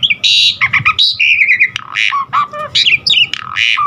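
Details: Asian pied starling in varied, energetic song used to prompt caged birds to sing; a dense jumble of harsh squawks, buzzy notes and short slurred whistles with barely a pause.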